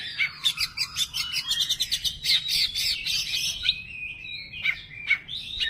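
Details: An Oriental magpie-robin (kacer) in full 'bongkar materi' repertoire: a burst of fast rattling trills and bright chirps, easing into thinner whistled notes and separate sharp chips toward the end.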